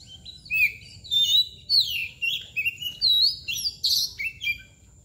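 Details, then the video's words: White-rumped shama, called kacer bagong or koci nangkur, singing a rich run of clear whistled phrases that slide up and down, mixed with sharp chirps in quick bursts, steady faint hum beneath. "KACER MBAGONG LUCU ABIS | KOCI NANGKUR | KACER BALON | KOCI BAGONG"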